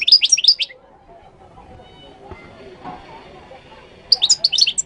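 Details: Moroccan goldfinch: a quick burst of high, sweet twittering at the start, a long quiet stretch with faint room sounds, then another jangling, tinkling phrase at the end.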